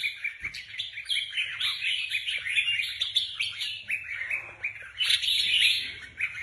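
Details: Competition red-whiskered bulbuls being prepared for a contest keep up dense, busy warbling, bright slurred whistles running on steadily with a louder bright burst toward the end.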